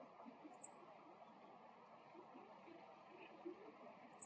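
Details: Male Meadow Bunting calling on the ground, with two high, quick paired chi-chi notes separated by about three and a half seconds and a quiet murmur of background noise.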